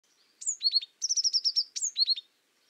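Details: Azure tit, also called the white tit, singing: a high descending whistle, three quick dropping notes, then a fast even trill of about ten high notes, with the opening phrase repeated at the end. No other sounds.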